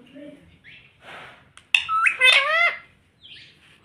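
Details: Talking parrot, said to say mummy and papa, gives a loud harmonic voice-like phrase with bending tones partway through, after quieter breathy murmurs, in a small quiet room.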